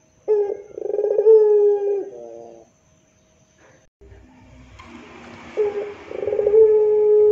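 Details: Two drawn-out moaning coos from a puter pelung dove, each opening with quick pulses and holding a steady low tone, separated by a quiet gap with a burst of hiss in between.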